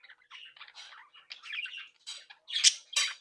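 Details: Captive budgerigars from a breeding flock chattering, then letting out harsh loud squawks; low scratchy warbling gives way to several strong rasping cries in the final second.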